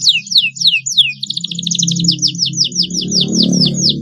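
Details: Canary singing long and fluently as a lure for young learners: a few strong downslurred whistles, then a quick rattling series of repeated notes, against a noticeable low rumbling hum.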